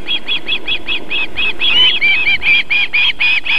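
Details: Female osprey feeding young at a nest near a river and fish farm in South Estonia's Võrumaa, 31 July 2021, 19:51; quick repeated shrill chirps, becoming louder and more inflected midway, with faint background hum.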